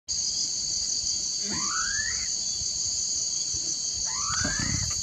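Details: Hodgson's frogmouth at Mishim hill, Binanda, gives two calls, soft whistles sliding upward about two and a half seconds apart, over a loud, steady high insect drone.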